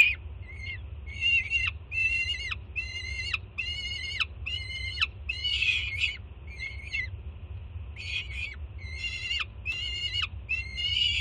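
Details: Peregrine falcon chick at a Jersey City nest, June 2017, begging as its mother arrives with food. Evenly paced harsh screams, about one per second, twelve in all, each dropping sharply at the end, over a low hum.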